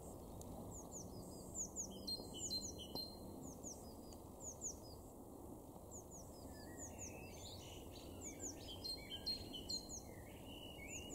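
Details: Eurasian blue tit in a garden in Weener, Ostfriesland, far northwestern Germany, in April 2021, giving quick, high, thin chirps and down-slurred notes in busy bursts, over a steady low rumble of wind or distant traffic.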